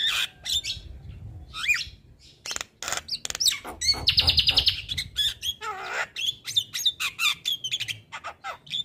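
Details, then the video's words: Male Javan myna, a prolific singer used as a tutor for other mynas, delivering a varied song of harsh broadband bursts, sliding whistles and a rapid buzzy rattle near the middle, with short chattering notes between. "Burung Jalak Kebo Jantan Super Gacor Gurunya MAsteran Jalak"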